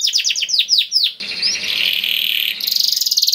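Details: Kenari 'gacor' song used to prompt other canaries to sing: a string of falling whistled notes, then a harsh buzzing rattle and a fast, high repeated trill.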